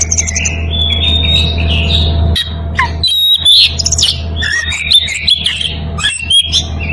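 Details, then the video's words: Oriental magpie-robin in breeding condition calling a rival; sustained whistled phrase first, then a break and a burst of loud varied notes, squeaks and harsh chips, low hum behind. "Kacer birahi memanggil lawan"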